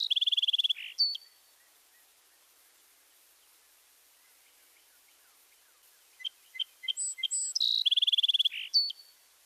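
Song Sparrow singing two bright songs, several seconds apart. Each is a mix of crisp introductory notes, a rapid high trill and buzzy phrases.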